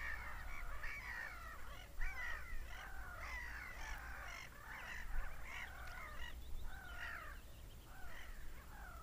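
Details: Seagulls screaming: a dense chorus of overlapping harsh, arched calls, several birds calling at once without pause, over a steady low rumble of wind or surf.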